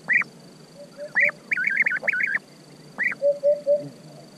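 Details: European bee-eater calling with burry, rolling notes, some single and some run together in a quick trilled string, while a softer, lower bird note repeats in the gaps.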